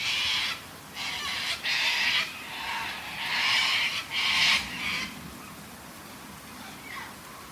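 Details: Many white cockatoos squawking loudly in south-east Melbourne, Australia, as rain and thunder began on a stormy morning: harsh, grating screeches in bursts, overlapping, over a steady hiss of rain.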